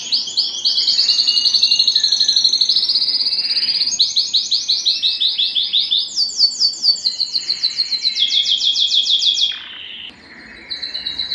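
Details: Canary song played to stimulate breeding and excite females for mating: fast trills of repeated notes, about four per second, shifting pitch between phrases, high and bright, ending in a brief quiet gap and a short final trill.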